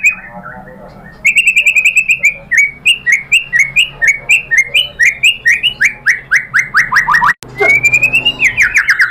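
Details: White-rumped shama song played to provoke other birds into singing: a long, lively series of loud whistled notes, upswept then falling, repeated several times a second, with a brief break before a rising trill.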